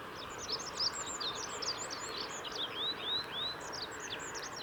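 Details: Olive-backed pipit song on the Kirigamine Plateau, 15 July 2018: a rapid, continuous jumble of high thin twittering notes and short rising slurs, about four notes per second, over a constant low environmental hum.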